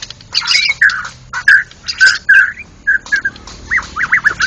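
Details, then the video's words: White-rumped shama, national champion, singing ngeplong at a bird-song contest: loud scratchy bursts and short whistled notes in spaced phrases, ending with a rapid series of looping up-and-down whistles. "burung berkicau Murai Batu Ngeplong gacor Juara Nasional"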